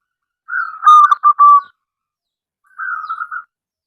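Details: Local wild-type zebra dove calling to draw other doves into singing: one bubbling phrase of quick pulsed coos ending in a drawn-out note, then a shorter softer trilled coo after a pause, with no other sounds.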